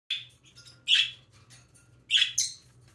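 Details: Baby parrotlet chirping while preening indoors: three short high, bright chirps spaced about a second apart, the last a rising double note, over a faint low hum.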